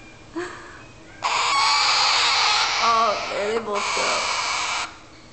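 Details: Two baby rose-breasted cockatoos (galahs) near weaning, waiting for breakfast: sustained harsh rasping begging for about three and a half seconds, with a man's voice talking over part of it.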